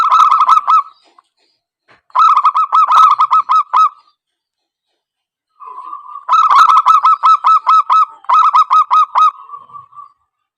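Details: Zebra dove lure call used for trapping birds: bursts of rapid, hooked cooing notes repeated in quick staccato runs, separated by short pauses and a steadier drawn-out tone near the end.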